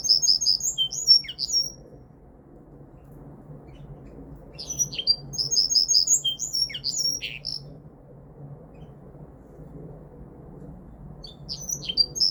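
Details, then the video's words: Linnet × Canary hybrid (mule) singing in bursts of high, rapid twittering and chirped notes, each phrase about two seconds long, separated by pauses of a few seconds, over a low steady background hum. "Linnet × Canary Hybrid / Mule 1 - Hänfling x Kanarien - Pardillo Pecho Rojo (Linaria Cannabina)"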